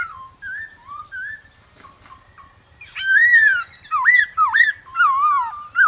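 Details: A male White-cheeked Laughingthrush sings in forest style in the morning to draw wild-caught birds into singing back. Quiet, slurred whistles give way to a loud, long descending phrase and several sharp, swooping notes.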